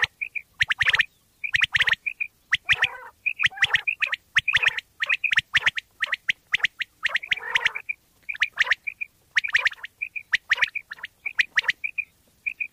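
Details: Bater, the common quail of Pakistan, in a sound used by quail hunters: steady series of paired and tripled whistled notes with dense rapid clicking and occasional rough, buzzy chatter.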